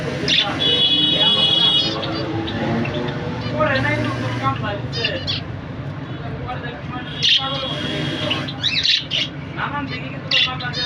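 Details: Zebra finches, a pair with two young, give nasal, toy-trumpet calls in quick irregular bursts, with voices and traffic behind.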